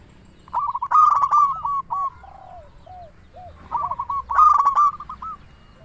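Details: Local zebra dove in full song, used as a lure to make other doves sing: two bursts of rapid, stuttering, hoarse coos, followed by softer, lower, drawn-out coo notes.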